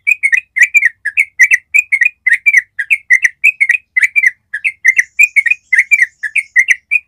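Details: Yellow-vented bulbul giving a long ropel trill song, used as a master track to train other bulbuls to copy it. Bubbly, slurred chirps run continuously for seven seconds, about five notes per second, with no other sounds.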